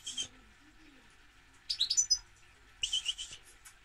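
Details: Short goldfinch phrases: a brief high chirp, then two quick bursts of twittering, tinkling notes separated by quiet pauses, with low background hum.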